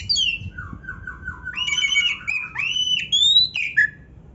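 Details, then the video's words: Oriental magpie-robin (kacer) in lively 'gacor' song rich in filler phrases: a few low wavering notes, then a long bright whistled phrase rising in steps, ending in a sharp upward slur and a short dropping note. "kacer gacor full isian MEWAH NARUNG‼️Auto NGOBRA BUKA EKOR"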